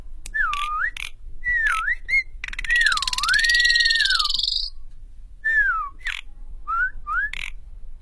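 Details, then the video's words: Asian pied starling being tamed to sing freely and fight: looping whistles that fall and rise, a drawn-out scratchy rasp, then short descending whistles and sharp clicking notes. "Cara paling mudah menjinakkan jalak suren agar gacor dan tarung"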